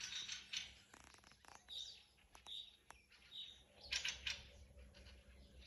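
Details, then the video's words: Thrushes singing in a forest: harsh, scratchy chattering bursts mixed with short high chirps and squeaky whistles from several birds, some overlapping, with brief quiet gaps between bouts. "Дрозды. Пение в лесу"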